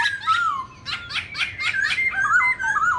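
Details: Black-throated laughingthrush singing a many-voiced competition song meant to stimulate rival birds. Gliding whistles are broken by harsh, chattering, laugh-like bursts over a faint low hum.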